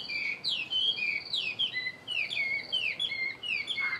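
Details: Song of a caged Chinese hwamei, one year in captivity: bright, rapid whistles with downward-swooping slurs, tumbling phrases repeated several times a second.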